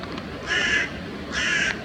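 A carrion crow gives two harsh, hoarse caws, each about a third of a second long and under a second apart, over quiet background hiss.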